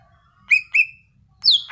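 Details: Brief burst of Greater green leafbird song: two clear whistled notes in quick succession, then a shrill falling note that runs into a harsh buzz.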